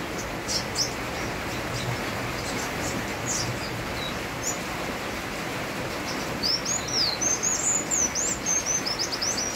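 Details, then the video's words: Sunbird in vigorous song with rain falling: high, thin chirps and quick twittering phrases, denser and faster toward the end, over the steady hiss of rain. "Kolibri wulung gacor bonus irama hujan"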